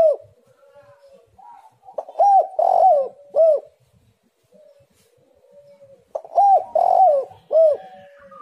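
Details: Spotted dove song used as a lure to make other doves sing: two bouts of soft low coos, each a few short rising-falling notes with a longer rolled middle note, separated by a quiet pause.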